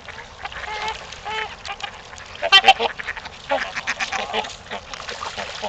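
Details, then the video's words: Trumpeter swans at Gallup Park in Ann Arbor, Michigan, during mating time: a few short, nasal, horn-like honks early on, followed by bursts of overlapping calls and scattered clicks and splashes. "Trumpeter Swans @ Gallup Park Mating Time"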